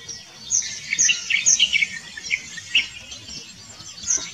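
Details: White-browed bulbul (Pycnonotus luteolus) calling: quick, bright, chattering notes in irregular bursts, several each second, high-pitched and slightly scratchy, over a faint low hum.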